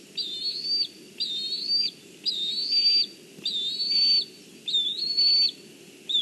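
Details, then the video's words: Black kite (Milvus migrans) nestling in Kurzeme, Latvia, calling from a branch at about 06:21 on 14 July 2023 as its mother brings fish; thin, high whistled calls, about half a second each, slightly wavering, roughly every second, over low hum. "Bronza on a branch calls"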